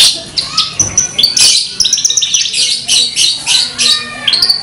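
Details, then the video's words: Horsfield's bush lark pours out a fast, continuous, melodious song of high, varied chirps, trills and sweet whistled notes, with hardly a pause between phrases. "suara burung branjangan suara merduuu"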